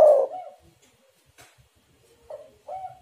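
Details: Spotted dove coo used to lure other doves: one loud husky coo that fades out, a near-silent pause, then two soft short coos at the end.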